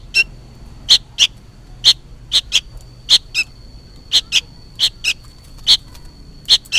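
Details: Sooty-headed bulbul fledgling crying out, as though calling its parent: insistent high, scratchy chirps, often doubled, repeated steadily through the recording over a thin constant hum.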